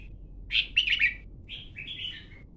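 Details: Red-whiskered bulbul calling: a burst of bright, chattering warbled notes followed by a softer, lower whistled phrase falling in pitch, over a faint low background hum.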